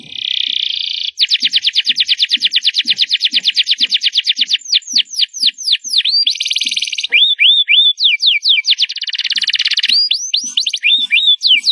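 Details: Canary singing loudly: a buzzy opening note, a long rapid trill of slurred notes, swooping whistles, rolling buzzes and rising chirps; faint low ticking sounds in the background.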